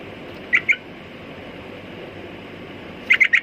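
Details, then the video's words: Sooty-headed bulbul producing a pair of short chirps, a lull of over two seconds, then a quick run of three or four notes, amid soft background hiss. "Burung Trucukan Kicau Mania"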